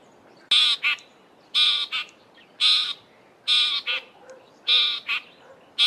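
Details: A Southern Fiscal in an Eastern Cape, South Africa garden gives harsh, grating rasps in pairs, a long note then a short one, repeated about once a second over faint background hiss.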